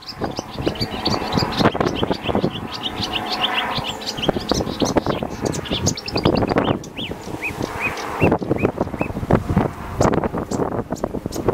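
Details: Marsh warbler singing in Zuid-Kennermerland, captured through digiscoping gear: rapid jumbled phrases of chirps, buzzy trills and clear rising whistles, with a brief pause midway. Persistent low traffic-like rumble behind.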